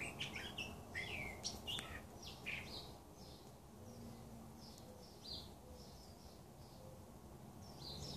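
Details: Back-yard birds in the Arizona desert give a burst of sharp, slurred chirps for about three seconds, then softer, scattered tweets over a steady low rumble.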